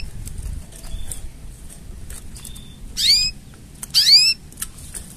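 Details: Mating sounds of a canary: two loud, high whistled bursts a second apart, each a cluster of sweeping notes falling in pitch, with faint scattered ticks and a thin steady whistle before.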